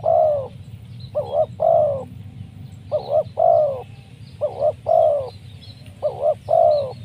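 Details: Spotted dove calling to lure wild doves for trapping; a crisp voice. Four paired phrases in seven seconds, each a short wavering double coo followed by a longer, smooth mid-pitched coo, over steady low rumble with faint distant high chirps.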